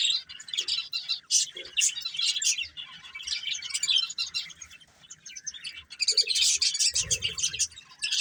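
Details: A breeding pair of colourful budgies chatters in a steady flow of high, buzzy twitters and sharp chirps. A couple of quieter gaps break the run before the rapid warbling returns.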